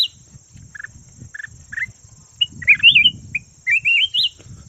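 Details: Red-whiskered bulbul kept as a decoy bird, known locally as chào mào vàng: a few short clipped notes, then loud bright whistled warbling phrases that rise and fall, over a steady high electronic whine and soft low rumble.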